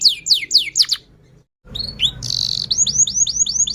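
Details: Canary song used as a lure to get other canaries singing: several quick descending sweeps, a short pause, then a buzzy note and a run of rising-then-falling whistles, with a faint low hum behind.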